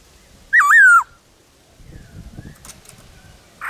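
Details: Wild black-throated laughingthrush in the forest gives one loud, wavering whistled phrase that dips and then slides downward, followed by a quiet stretch with low rustling and a faint short call at the end.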